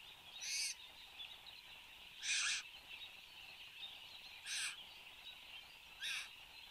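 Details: Satin bowerbird in action at its bower in Australia, on camera at 8:02 am on 10 January 2015; four short, rasping, hissy bursts spaced one and a half to two seconds apart, with constant high insect drone behind.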